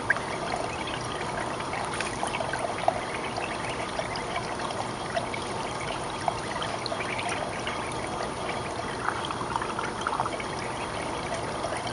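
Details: Steady trickling and splashing water with no clear animal calls.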